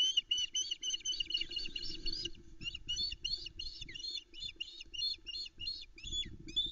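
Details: Female osprey calling loudly on her nest at about 5am on 13 July 2019 at Loch Arkaig, awaiting food from the male, recorded by nest camera: rapid runs of high, whistled, piping chirps in dense series, with low background rumble.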